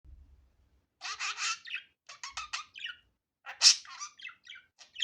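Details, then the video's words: Budgerigar natural sound, unedited: rapid chattering warble of short chirps and clicks in bursts, with a sharp high squeak near the end, a few faint low thumps at the start. "Muhabbet Kuşu Doğal Sesi"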